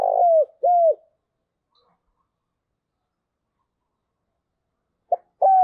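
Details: Decoy spotted dove calling to lure and provoke wild doves: a rolling coo and a falling coo open the clip, then a long silence before a short note and another coo begin the next phrase, with no other sound.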